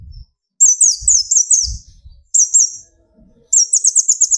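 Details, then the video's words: Sunbird known locally as kolibri ninja, young speckled to fully metallic plumage, singing to stir other birds: very high, thin, twisting notes in quick bursts, separated by pauses and low knocking sounds. "burung konin gacor pancing tembakan konin"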